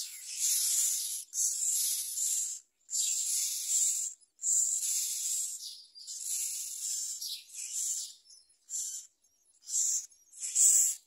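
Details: Myna chick being fed a large blue caterpillar by its parent; harsh, hissing rasps in long noisy bursts of about one second, broken by short gaps, some bursts clipped shorter toward the end.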